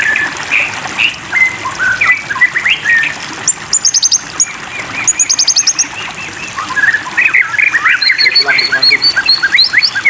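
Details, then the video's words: Rich song of a white-rumped shama with a water-therapy sound bed: varied whistled phrases, brief pauses, high rapid rattling trills, then a lively run of repeated sharp upslurred notes over constant watery hiss. "terapi air murai batu makin tambah gacor"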